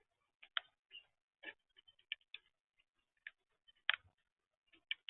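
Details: A blackbird eating at a bird feeder calls to other birds with short, sharp chucking notes at an irregular pace, a dozen or so in five seconds, with nothing else heard.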